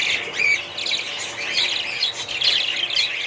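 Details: Budgies giving harsher squawky notes among high warbled chirps, a noisy overlapping chatter from several birds.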